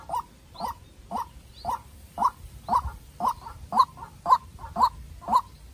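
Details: White-breasted waterhen decoy, young and farm-raised, duelling with a wild bird: regular, clipped, nasal calls repeated about every half second, strengthening toward the end, over quiet low background hiss.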